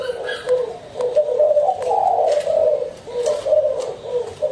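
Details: Spotted dove cooing: low, soft, rolling coos run almost without pause, slightly rising and falling notes chained in short phrases, in a quiet, enclosed-sounding space.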